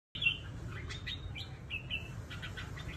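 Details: Trapped red-whiskered bulbul from Cao Bằng, Vietnam, kept as a fighting bird, giving short bright whistled chirps and brief rising notes in quick succession over a steady low rumble.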